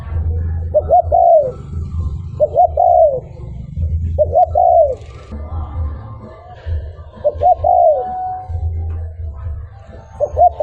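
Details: Repeated spotted dove song meant for luring wild birds: three quick phrases of double hoots and a sliding coo, a longer pause, then two more phrases, all over a persistent low hum.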